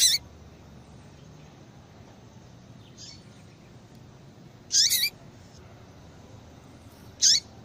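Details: ['Calling female Yellow-bellied Seedeater, meant to get a male into breeding condition; short, bright, high-pitched chips, one opening the clip and two more after long silent gaps, on a quiet hissy background.']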